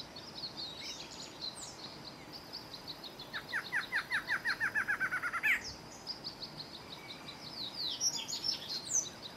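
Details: Singing male Barred Antshrike gives an accelerating run of a dozen or so hollow, nasal notes lasting about two seconds and closing sharply, with high chirps of other birds before and after.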